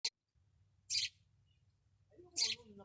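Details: A bird filmed singing on top of a caravan in the desert, labelled as a sparrow or maya (chestnut munia), gives three short, harsh, high chirps about a second and a half apart. They sound over a low hum, with faint lower sounds at the end.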